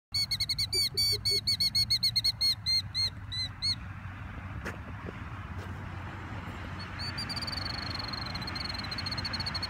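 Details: An agitated Killdeer gives a rapid run of shrill, high, ringing notes, about four a second, that fade after a few seconds over a steady low rumble of wind.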